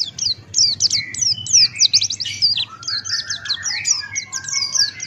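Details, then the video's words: A male Buxton's white-eye (pleci Buxtoni) sings a fast, high-pitched, near-continuous twitter of sweeping chirps, with softer, lower whistled notes underneath, recorded as training song for other birds. "Masteran Pleci Buxtoni Ngalas Buka Paruh"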